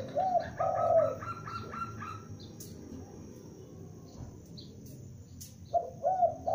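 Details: Young spotted dove lure bird calling: low cooing at the start, followed by a series of higher repeated chirpy notes from another bird, two sharp clicks, then more coos at the end.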